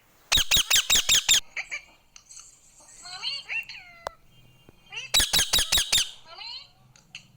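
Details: Tame pet Indian ringneck parrot in India, talking and said to say mummy papa: a rapid burst of six harsh, shrill screeches, then a string of short tonal, rising speech-like syllables, then another run of loud screeches.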